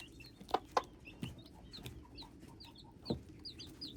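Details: Hybrid chicks giving soft, high downslurred peeps scattered across the recording, broken by a few louder thumps and knocks and a steady low hum.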